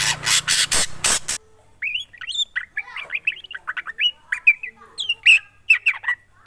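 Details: Black drongo song: a loud burst of broadband rustling noise gives way to a run of quick whistled, slurred notes and harsh chips tumbling in rapid succession.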